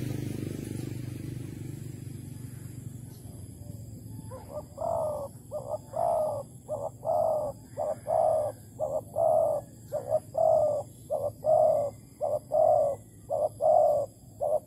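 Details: After a few seconds of low rumbling noise, a spotted dove at a Malaysian bird trap baited with bare bait, 11 August 2020, delivers a long regular series of about a dozen low, hollow coos in short-long pairs.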